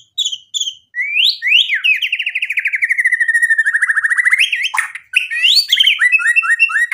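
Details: Song of a white-rumped shama used to rouse a rival: two short notes, then a long run of rapid rattling pulses sliding gradually downward, ending in quick rising whistled fragments.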